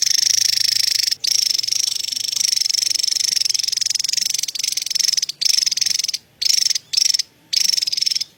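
A Javan tesia gives a long, very high, buzzy chattering trill, pouring on almost without pause and breaking only briefly a few times.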